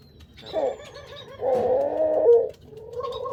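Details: Parent Barbary dove making soft, muffled, rolling coos that rise into a longer buzzy phrase with a brief bright note, then a low continuous hum of cooing.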